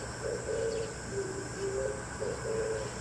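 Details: Oriental turtle dove calling in the morning, answering another dove: soft, low, rough cooing notes in paired phrases, half-masked by a steady hiss and hum.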